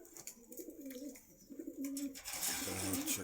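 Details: Pigeons kept for sale at Meradia market in Khilgaon, Dhaka, Bangladesh. Low soft coos are repeated, then a hiss of broadband noise covers the end.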